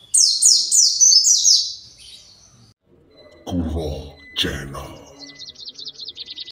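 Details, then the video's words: Kept white-eye, agitated and searching for its flock: a fast run of high, thin, downward-sliding chirps over two seconds. A brief human voice follows, then a rapid, high chittering series to the end. "PLECI pasti emosi"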